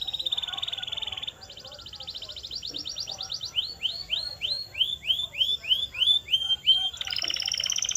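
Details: Song of a canary, played to make canaries sing: a steady high trill, a fast pulsed rattle, then about ten repeated upswept whistles in quick succession, ending in another bright trill.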